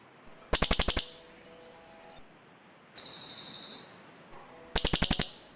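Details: Cililin birds calling to each other: a quick rattle of sharp high notes, a longer buzzy rolling trill, then another quick rattle, with short quiet gaps between.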